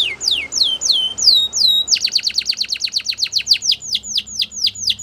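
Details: Spanish Timbrado canary singing a training song: a series of clear descending whistled notes, then a fast rapid trill of repeated downward sweeps several per second, high and bright throughout with a faint low hum behind.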